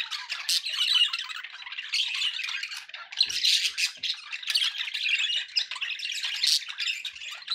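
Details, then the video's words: A group of pet budgies chattering nonstop: scratchy warbled phrases, sharp squawks and chirps overlapping in a busy, lively flock chorus, with a few faint low knocks in the room. "budgie sounds"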